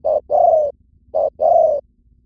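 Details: Lure call of a spotted dove from Vietnam: two deep cooing phrases, each a short note leading into a longer, slightly dropping coo, clean and close.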